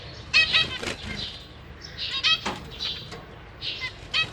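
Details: Zebra finch parents tending three juveniles and three new babies in a cage: sparse nasal, stacked chirps from a few birds, separated by quieter pauses and light fluttering.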